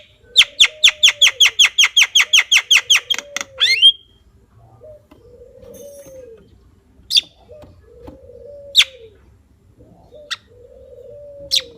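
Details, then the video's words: Javan myna firing a fast volley of about fifteen sharp, harsh notes, ending with an upslurred whistle, then only sporadic single notes while a dove coos softly and repeatedly in the background. "Suara Burung Jalak Kebo"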